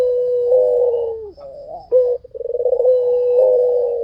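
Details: White dove in full voice, used as a lure for other doves: sustained low coos, broken midway by a short wavering phrase and a quick run of stuttered pulses before the steady coo resumes.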